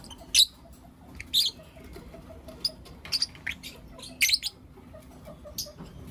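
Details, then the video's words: Lovebirds of Blue Opaline and Lutino Opaline colour, heard in the morning: sparse sharp chirps, some loud and raspy, others short faint ticks, coming roughly once a second at irregular intervals. "Lovebird Chirping Sounds and Call Sounds From Blue Opaline & Lutino Opaline"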